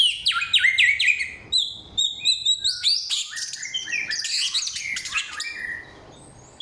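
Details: Samyong pouring out a loud, clear song of many voices: quick looping whistles, then high thin chirps and dense twittering, fading near the end.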